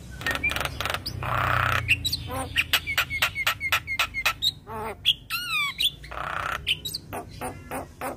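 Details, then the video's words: Young Asian pied starling singing tirelessly all day, a varied run of harsh squawks, sharp clicks, rising whistles and rapid zigzag warbled notes, delivered in quick bursts of about four per second with brief pauses. "Jalak Kebo Super Gacor Rajin Ngoceh Seharian - Masteran Jalak Kebo Muda"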